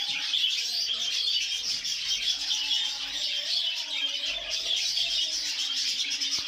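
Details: Exhibition budgerigars in a breeding setup keep up a dense, continuous chatter of high chirps and warbles.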